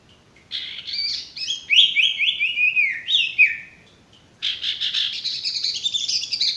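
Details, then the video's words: Singing male sirtu, a training recording for birds that are stressed or not singing: a fast series of downslurred chirps, a short pause, then a dense, high buzzy twitter. "masteran burung sirtu bakalan maupun stres macet"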